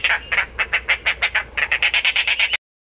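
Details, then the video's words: A Dollarbird (Eurystomus orientalis) gives a fast string of about sixteen harsh, rasping chack notes that quicken slightly toward the end, with no other sounds. "佛法僧(三寶鳥)/Dollarbird(Eurystomus orientalis)song"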